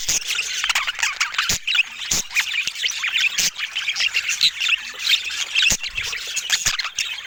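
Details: Budgerigars in various colour mutations keep up a lively jumble of chirps, warbles and scratchy squawks, with several sharp tapping clicks spaced irregularly through the chatter.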